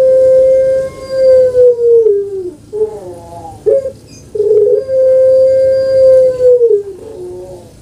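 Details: Kept puter pelung dove from Java, Indonesia, with a long-voice call: a sustained even hooting note falls away, then a stutter of short broken notes, then another long level note of nearly two seconds.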